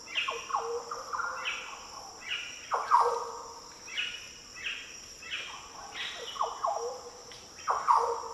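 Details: Green Orioles calling in the coastal Daintree rainforest of tropical Australia. A busy run of fluty, swooping song phrases, some overlapping, repeats every second or so over a continuous insect drone.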